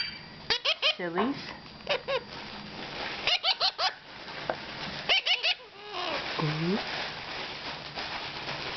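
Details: Baby mustached parakeets at oatmeal feeding time, April 22, 2009, beep in rapid bursts of three or four bright notes, repeated several times, alongside lower hooked vocal sounds and an indoor room background.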